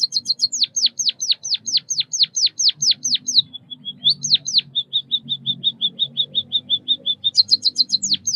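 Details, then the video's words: Chirping white-headed munia giving a long, steady series of sharp descending whistles, then a string of soft even high peeps, before the fast downslurred notes return. "Suara kicauan burung Pipit emprit Bondol kaji gacor 323 | Bird chirping sounds | white headed munia"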